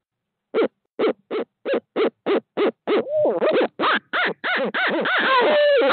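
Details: Wild barred owls in Midtown Tulsa at 5:45 am as a second owl arrives: a rapid, even series of short hoots speeds up, then breaks into wavering, cackling caterwauls as the calls overlap.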